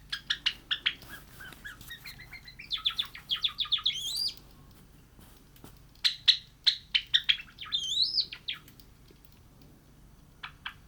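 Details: Cream Java sparrow kept as a pet, practising song: rapid runs of sharp ticking notes that flow into tinkling, upswept whistles, paused, then repeated in a second similar phrase, with a few final clicks.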